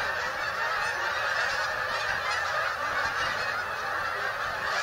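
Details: Migrating geese arriving at Bombay Hook National Wildlife Refuge on Delaware's eastern shore, USA: a dense, continuous chorus of overlapping honks from a large flock, steady in loudness throughout.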